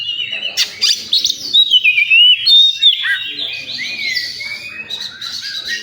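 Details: At a songbird contest site, an oriental magpie-robin delivers a varied song: quick scratchy notes, then a pure whistled glide falling and rising, followed by rapid twittering phrases over a busy chorus of other singers.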